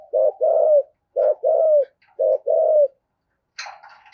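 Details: Caged lure spotted dove giving 'giọng thổ' coos: three paired phrases, each a short clipped note followed by a longer rounded coo that dips at the close, spaced about a second apart, with a brief rustle at the end.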